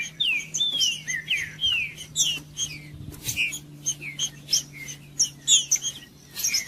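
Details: Green-winged saltator singing to warm up and stimulate other saltators kept for song contests: dense run of slurred whistles, some rising and some falling, interwoven with rapid high chips and buzzy notes, nearly continuous, with a low steady hum beneath.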